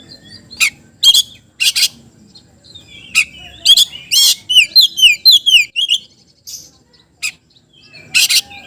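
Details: Oriental magpie-robin song used to stir lazy magpie-robins into song. Scratchy bursts open into a rapid run of clear whistled notes, each sliding downward, followed by scattered harsh chirps and a final pair of loud rasping notes.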